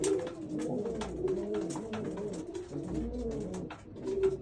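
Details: Several Old German Owl pigeons coo continuously, their low, wavering, throaty notes overlapping in a steady burbling chorus, with light clicking noises in the background.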